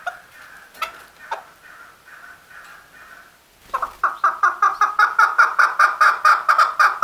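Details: Male chukar calling: after a few seconds of softer, lower chatter, a loud series of rapid, clucking chuk notes starts, repeated about twice a second and building steadily in strength.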